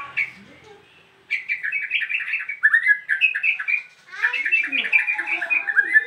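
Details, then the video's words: Restless newly arrived cage bird singing nonstop once uncovered: after a short quiet gap, a dense, chattering stream of short chirps and twittering notes at mid-high pitch, running on without breaks. "BARU datang buka KERODONG langsung NYEROCOSS gak bisa diem"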